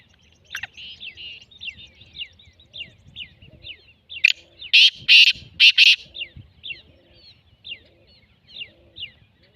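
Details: Black francolin's grating call, a quick run of four rough, loud notes partway through. Other birds keep up soft, repeated high chirps around it.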